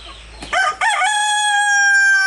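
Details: One of three roosters kept with their hens, crowing to communicate: a brief rough opening note, then a loud, long, steady harmonic crow held for over a second in a quiet setting.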